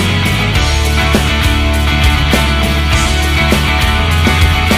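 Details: Loud rock music with heavy guitars and drums fills the recording, and no animal sound is heard.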